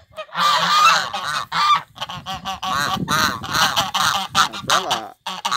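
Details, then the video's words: Loud, brassy honking from a pair of African guard geese on a rural property, a rapid string of harsh calls with short breaks, ending in silence. "Gansos sinaleiro!"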